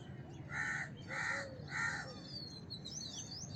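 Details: House crow giving three harsh, nasal caws about two-thirds of a second apart, then falling quiet while thin high chirps and whistles of smaller birds continue over low background hum.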